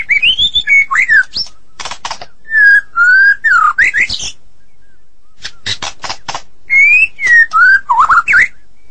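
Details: Medan-type white-rumped shama in full, energetic song. Rising and falling whistles alternate with groups of harsh, rasping notes. Whistled phrases return after a brief silence near the middle.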